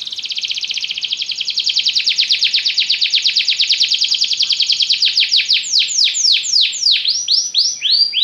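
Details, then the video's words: Long song from a yellow Belgian canary: a dense, buzzy trill running for several seconds that loosens gradually into distinct, arching swoops toward the end. "canário belga amarelo se destacando no canto, gogo de ouro"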